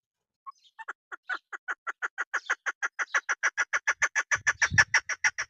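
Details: Female chukar partridge of the kind used by hunters. A soft first cluck opens a chattering series that speeds up and swells into loud, regular chuk notes, with a low thump near the end.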